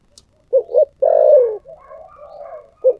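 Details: Spotted dove singing in the 'thổ sấm' voice style prized in Vietnam: two short coos, a long drawn-out descending coo, softer murmured notes, then a final short coo, clear and close.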